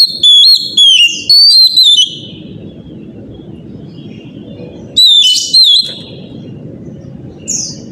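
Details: Oriental magpie-robin singing loudly in the morning to stimulate other magpie-robins: three groups of sharp, downward-sliding whistles, then several seconds of low background noise, a short whistled pair with a buzzy note, and a last high rasp.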